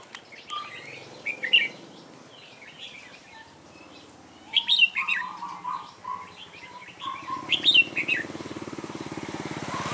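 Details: Red-whiskered bulbul singing as a trapping decoy to provoke wild rivals; three separate bursts of fast chattering whistles a few seconds apart, with lower tonal notes between them and a faint rhythmic mechanical noise near the end.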